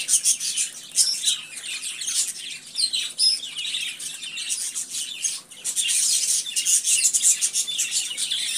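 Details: Budgerigars giving a dense, continuous chattering warble of high, scratchy chirps and squeaks, overlapping without pause, with a short dip in loudness midway before the busy twittering resumes.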